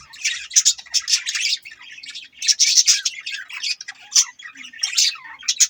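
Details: Parrot chatter from budgies: grouped bursts of high, scratchy, fizzing chirps, each lasting under a second, recurring at irregular intervals with short quiet gaps.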